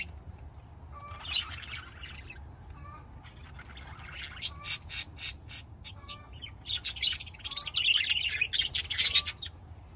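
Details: Budgerigars making harsh squawks and rapid clicking notes, building into a dense, buzzy chattering burst near the end, with soft short whistles in the gaps.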